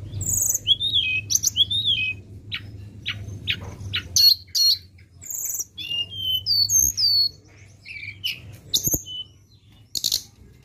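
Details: Flowerpecker song used as a lure: arching whistled notes first, then quick high ticks and looping chirps in irregular bursts, with a faint low hum.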